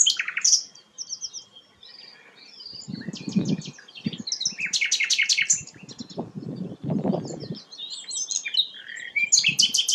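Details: Sikatan londo flycatcher in full song: varied high twitters, chips and short buzzy rattles, interrupted by several low muffled thumping bursts.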